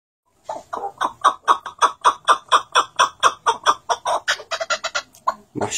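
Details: Arabian partridge: a rapid series of harsh, clucking chuck notes repeated about twice per second, steady and evenly spaced, quickening and blurring toward the end.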